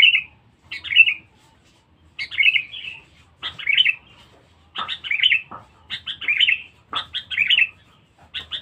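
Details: Very vocal, fierce Sooty-headed bulbul on a lure (pikat) recording: cheerful, bubbling two- and three-note whistled phrases repeated at steady intervals, each with a quick sharp lead-in note.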